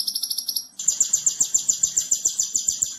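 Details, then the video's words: Konin singing extra-sharp tembakan masteran for training other birds: a high rapid trill that switches to a slightly lower, stronger pulsing rattle, about four pulses each second. "Masteran Konin Jawara - Tembakan Extra Super Pedas - Masteran Konin Gacor Full Tembakan"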